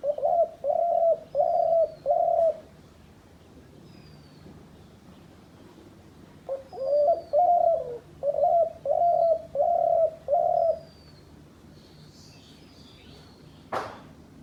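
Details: Hunters' decoy dove cooing in two bursts of short, evenly spaced, mellow hooting notes, four and then seven, separated by a quiet pause. A sharp click sounds near the end.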